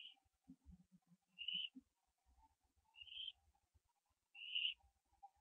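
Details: Barn owl owlet branching, live nest camera, 15 September 2011, 4:07 AM; four short, high, raspy wheezes roughly 1.5 seconds apart, with light pecking or tapping sounds early on.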